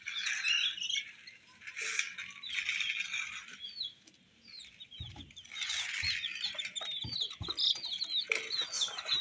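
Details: Several colored chicks peeping: many short high arched peeps overlapping in dense bursts, with a quieter gap midway and scattered knocks and thuds.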